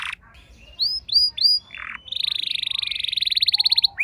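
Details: House canary replying to another singer: a few short upslurred whistles and a harsh burst, then a long even rolling trill of fast repeated notes.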